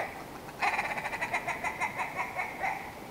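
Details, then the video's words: Somewhat distant willow ptarmigan calling a rhythmic series of nasal, clucking notes that loosen and slow as it goes on. "Willow Ptarmigan - Song & Call"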